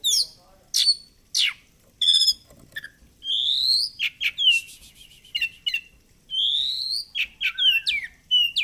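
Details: Caged oriental magpie-robin in full varied song: loud high whistled slurs, trilled buzzy phrases and sharp chirps in quick succession, clean background.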